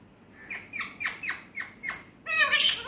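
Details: Talking Alexandrine parakeet kept as a pet and speaking Urdu/Hindi, giving five evenly spaced, harsh, raspy squawks about a third of a second apart, ending in a louder, longer, strained call with rich overtones.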